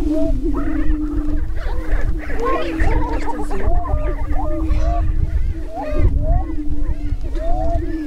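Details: Many greater prairie-chickens displaying on a lek in northwest Minnesota near Crookston on April 27, 2013, spring mating ritual: an unbroken low moaning boom with frequent overlapping whoops, cackles and chattering squeals, plus low wind rumble.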